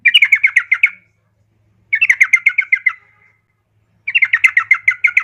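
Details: Three fast chattering runs from a female yellow-vented bulbul calling a male, each about a second of clipped, bubbling notes that trail off slightly lower, spaced roughly two seconds apart over a faint low hum.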